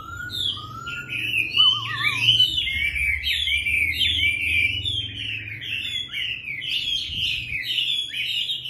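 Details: Captive Chinese hwamei singing on a fine, slightly chilly early-winter day in a fourth-floor bird room: loud varied song of rich whistles, slurred and trilled phrases almost without pause, with a low hum beneath. Chinese hwamei.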